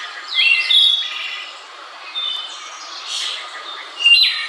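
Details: Wood thrush in Central Park, New York, USA, singing repeated phrases. Each is a liquid whistled note or two ending in a silvery, buzzy high trill, spaced a few seconds apart.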